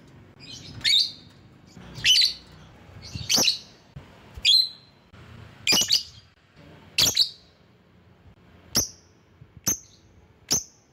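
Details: Lovebird calling to rivals, used as a lure: about ten shrill, buzzy high chirps at a steady pace of nearly one per second, the last three thinner and cleaner.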